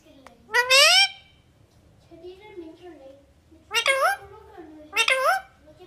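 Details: A pet parrot talks, apparently saying "Mammy", in a shrill, nasal voice: one long rising word, a pause with faint murmuring, then two quick clipped syllables.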